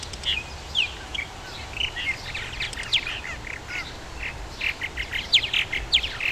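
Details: Purple martins at a colony in Somerset County, Maryland, chatter steadily in rich, gurgling chirps and short whistled notes, several birds overlapping, over a low background rumble.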